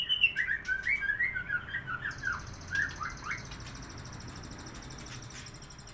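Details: Sooty-headed bulbul in vigorous song: a quick run of bright whistled, slurred notes for about three seconds, then quieter, with a steady high pulsing buzz running through the second half and low indoor hum beneath.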